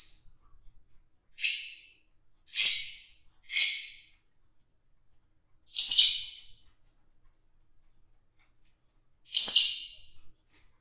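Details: Fischer's lovebirds in a group mating setting give harsh, high-pitched squawking chirps, about six short bursts at irregular intervals over ten seconds, with quiet pauses between.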